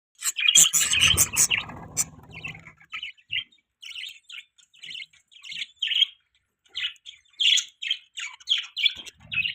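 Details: Budgerigars chirping in the morning: a loud burst of harsh, noisy chatter at the start, then steady rows of short, bright chirps and warbles, several birds calling together.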